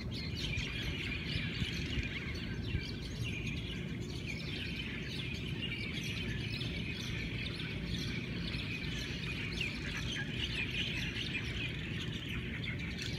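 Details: Hawaiian birds in a morning chorus, many voices overlapping in a dense weave of high chirps and short whistles that never pauses, over a steady low rumble.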